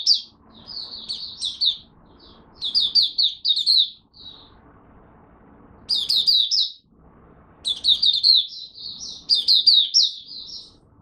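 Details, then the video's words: Hobby-kept Malaysian oriental white-eye, caged and in minor moult, off form, delivering repeated bursts of quick, high, jumbled twittering song, each lasting one to two seconds with short silent gaps between them. "Malaysian Mata Puteh Buka Sing Poseidon Minor Moult Off Form"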